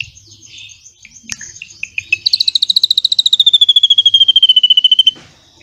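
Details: Drongo singing a song filled with imitated cililin phrases, used as tutor material for white-rumped shamas: scattered sharp chips, then a long rapid trill of buzzy pulsed notes sliding slowly downward before stopping abruptly.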